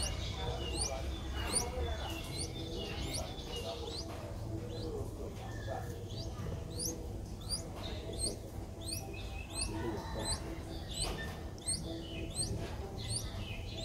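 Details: Nestling Streak-eared Bulbul aged five days, Ubon Ratchathani, Thailand, 7 April 2023, giving continuous high, sharply rising squeaky notes several each second for the whole stretch, with low-pitched background rumble and occasional duller notes.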